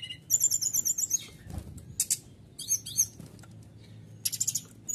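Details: Canary song meant to provoke rival birds into singing, made of high rapid trilled phrases and sharp chirp bursts with brief gaps between them.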